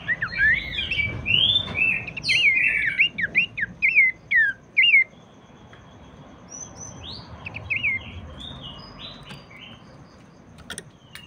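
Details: Abbott's babbler, whose song is used to get other babblers singing: dense sequence of whistled, slurred notes for about five seconds, then fainter scattered whistles over a steady background hiss.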